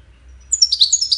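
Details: Goldfinch singing, a song used in courtship and communication: after a brief quiet start, a quick burst of high, tinkling twittered notes with short buzzy slurs, delivered rapidly for about half a second.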